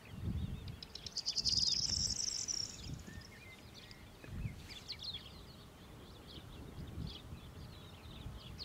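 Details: A corn bunting of the nominate subspecies at Lake Kerkini National Park, Greece, in April 2024 gives a quick, high, jangling trill like shaken keys, lasting about 1.5 seconds, followed by fainter bird notes, wind and low rumbling.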